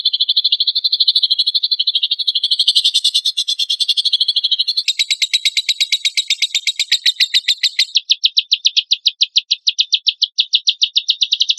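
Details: Lovebird burst-song compilation for provoking other lovebirds to sing: a dense high chattering trill that changes abruptly into a clearer, evenly pulsed buzzy rattle, then shifts again to a slightly lower, faster rattle.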